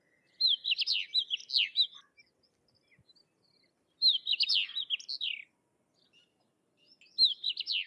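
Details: Lively high warbling from a Sykes's lark: dense phrases of tumbling, slurred whistles and chirps, each about one and a half seconds long, starting again after roughly two-second pauses. No other sounds.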